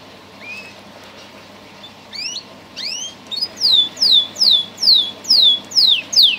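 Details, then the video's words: Canary of a singing breed: soft scattered upslurred chirps build into a steady series of loud, clear downslurred whistles repeated about every half second. "Song canaries singing : Bred for their sweet Canary singing ability"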